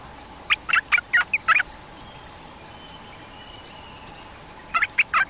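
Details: Lure call of a cream-vented bulbul used to draw in a territorial resident bird to a cage: a rapid run of six harsh, chattering notes, a pause of about three seconds, then another quick burst of four notes.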